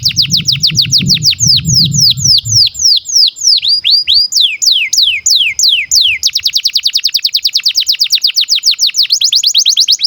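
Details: Canary in breeding condition singing a long song used to train young birds: steady series of steep downslurred whistles about three per second, later quickening into a fast even trill, with low rumbling noise early on.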